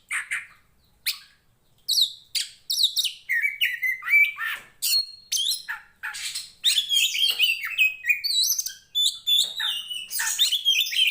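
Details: Oriental magpie-robin, poci Tretes fighting type, singing to build mettle in similar birds; a few scattered notes and a short gap, then a long, increasingly dense medley of whistles, chatters and trills.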